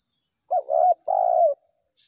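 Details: Spotted dove lured by bird trappers after rain, singing the stuttering style called gagap 6 mata: a short hooting coo followed by a longer, steady, slightly falling coo, about a second in all, in a quiet setting.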